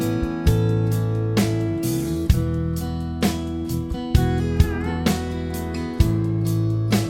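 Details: Plucked guitar music with regular strums and sustained notes, and no animal sound heard.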